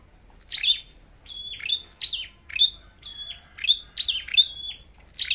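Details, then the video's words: A Scarlet-backed flowerpecker repeats sharp, very high, thin notes, each a quick downward flick ending in a short level whistle, about one per second. "Chim Sâu Đầu Đỏ Hót Đấu"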